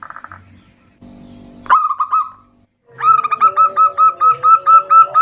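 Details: Female zebra dove calling to a male, both answering back and forth with a loud-voiced local male. Brief tonal sounds open, then a short rough note run, a pause, and a steady series of about ten clear repeated notes.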